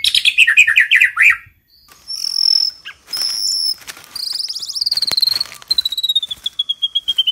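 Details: White-rumped shama training song: a quick slurred series, then a silence, then thin, very high, steady tones and a fading run of rapid high notes that sounds insect-like.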